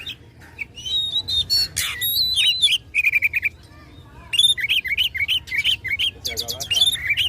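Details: Fighting song of an Oriental magpie-robin (kacer), meant to provoke a rival: varied whistled phrases mixed with rapid chattering trills and harsh noisy bursts, with brief quiet gaps between phrases.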